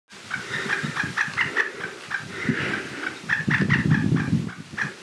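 White-tailed ptarmigan giving quick runs of short, soft clucking notes, several per second, over a low rumble of wind.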